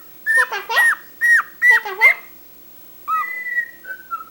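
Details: Talkative pet cockatiel uttering five short, clipped speech-like syllables, each a bright note that bends down sharply, then a pause and a long, level whistled tone that steps lower twice before fading.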